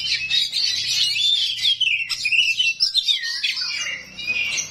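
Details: Oriental magpie-robin of the rawit type unloading harsh 'isian kasar' fill-in song meant to make other magpie-robins answer; a dense, unbroken stream of shrill, rapid chirps, twitters and short whistles, easing briefly near the end.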